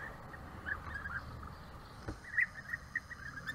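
European bee-eater giving short, soft, mid-pitched purring notes, scattered in small bursts, over a steady low rumble of background noise.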